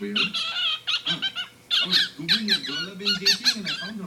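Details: Male pet cockatiel, about one year old, sitting with its owner, warbles in quick bursts of chirpy, squeaky whistles and songs mixed with speech-like chatter.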